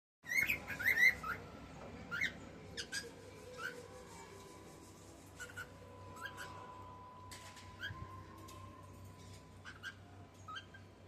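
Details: A female cockatiel (Nymphicus hollandicus) sings to a male cockatiel. She gives a burst of quick, bright whistled chirps over the first two seconds, then scattered softer notes, over a steady household hum.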